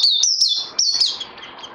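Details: Singing bird still needing training, 18 May 2020: a quick string of loud, clear whistles that rise and then fall, fading into a soft trailing note.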